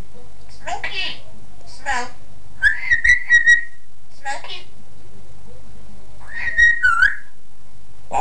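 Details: Pet parrot, about two years old, vocalising at home: two warbling, wavering whistled phrases, one about a second long and another shorter, between short bursts of a man's voice encouraging the bird.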